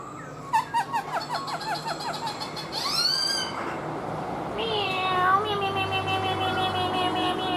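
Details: A black-throated laughingthrush, kept tame in captivity, sings and dances with a fan-spread tail: quick clipped notes, then loud sweeping upslurred whistles and rich falling tones.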